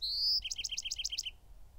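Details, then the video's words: Bewick's wren (Thryomanes bewickii) song: a high, drawn-out opening note, then a quick trill of about seven paired notes dropping from high to lower pitch. "The song of the Bewick's Wren"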